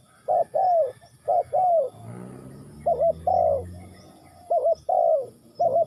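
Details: Spotted dove in Ninh Thuận calling in paired coos, some lead notes doubled and wavering, each followed by a longer falling coo; a low droning buzz fills the gaps between phrases.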